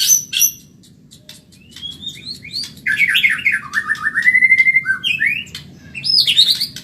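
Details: Caged Medan white-rumped shama in a fast training song: sharp high notes, then a long descending series of sweet warbled whistles ending in bright high phrases.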